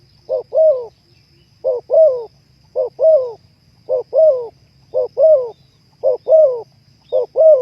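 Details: Terkukur, the spotted dove, singing in a recording used to raise breeding drive: regular paired coos, a brief hoot then a longer wavering one, repeated roughly every 1.1 seconds over a faint low hum.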